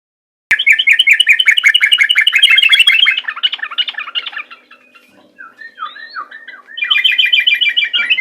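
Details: Sooty-headed bulbul (trucukan) calling during a fight, in rapid-fire ropel style: a fast, dense chatter of bright repeated notes for about four seconds, a pause with a few slurred, scattered notes, then the rapid chatter bursts out again.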